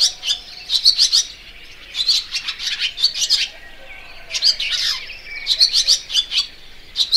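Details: Barn swallow (Layang2 Asia): lively high twitter of quick chirps, bursts running together with some slurred downward notes, a short lull midway, then renewed chirping.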